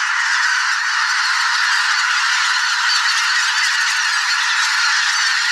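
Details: A spring swamp full of thousands of migrating geese, greater white-fronted, bean, barnacle and pink-footed together; loud, even, roaring mass of honks blending into a constant hiss-like chorus with no pauses.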